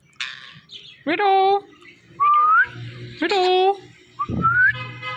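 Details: Pet parrot talking, calling out a word in imitation of human speech: several short harmonic, voice-like syllables, some rising in pitch, separated by brief pauses, with a faint low hum underneath.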